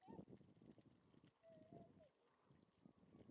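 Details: Tundra swans, Lake Biwa west shore, 27 February 2020: a short hoot at the start, then a longer wavering, slightly bending call, with low rumbling and splashy background noise throughout.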